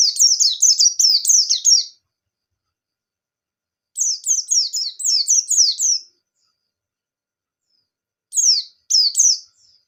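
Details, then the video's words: White-eye in 'ngalas nembak' song, used to encourage young birds to sing: two fast two-second runs of high, thin, descending whistled notes separated by silence, followed by a few sharper, isolated downward slurs near the end. "Burung Pleci Gacor Ngalas Nembak"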